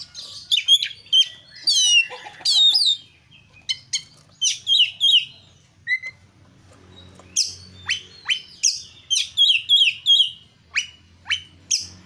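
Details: Oriental magpie-robin (kacer) in full song, recorded to coax other kacer into singing: rapid rising sweeps and chatters at first, a short pause, then a long run of sharp downslurred notes and quick whistled trills.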